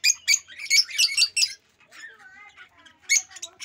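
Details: Rosy-faced lovebird giving loud, harsh chirps in quick rough bursts during the first second and a half, then softer broken twittering, ending with another sharp squawky burst.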